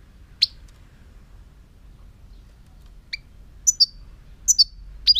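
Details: A single sharp high note from a European goldfinch, a long pause, then quickening pairs of thin, slurred chirps that run into a rapid twitter at the end.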